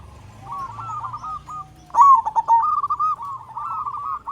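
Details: Big-voiced local zebra dove from Indonesia, used as a lure to trigger other doves' singing. A softer rolling phrase is followed by a loud staccato burst and a long run of bubbling, trilled cooing.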